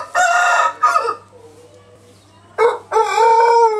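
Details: Pelung chicken rooster crowing: two loud harsh bursts, a pause, then another burst leading into a long crow with strong steady harmonics.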